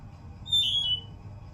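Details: Sunda blue robin giving one clear, high whistled note lasting about half a second and sliding slightly downward at its end, heard over a faint low background hum.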